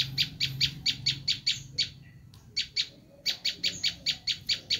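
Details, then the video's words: Insistent harsh chipping from a Bar-winged prinia, the screaming call used as a lure for wild birds: evenly spaced rasping notes, a gap of about a second, then another long run of the same notes. "Suara asli prenjak lumut menjerit"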